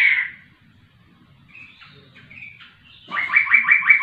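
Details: Laughingthrush singing vigorously. It opens with a loud note, followed by a pause with faint soft calls, then a fast series of five or six upslurred whistles beginning near the end.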